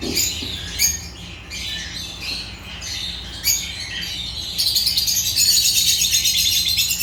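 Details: Agapornis lovebirds chattering in high, harsh chirps, building midway into a dense, rapid buzzing trill that continues to the end.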